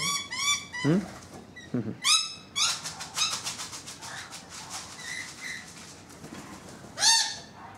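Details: Two rainbow lorikeets on a balcony, with others on the roof: squeaky, sweeping whistled notes mixed with rapid buzzy chatter and clicks, ending in a sharp rising screech.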